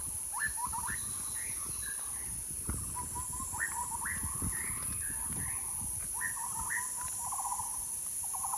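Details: Bird calling in short trilled notes, some sweeping upward, spread across the recording. A constant high hiss runs throughout.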